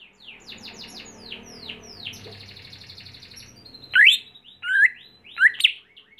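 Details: Home-raised greater green leafbird in training for singing contests: a busy stream of fast descending chirps over a low background hum, followed by three loud, separate, sharply rising whistled notes.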